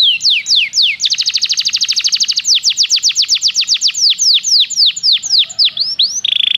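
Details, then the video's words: Training song of a Belgian canary: falling whistled slurs, a dense fast trill, then a long series of loud descending sweeps slowing down, ending in a brief buzzy roll. "O canto do canário belga fascina muitas pessoas"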